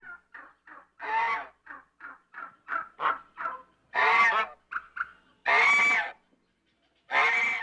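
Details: African goose, described as having a deep resonant voice, giving a run of short nasal honks that build into longer, louder braying honks, about five calls in the first three seconds followed by three drawn-out blasts.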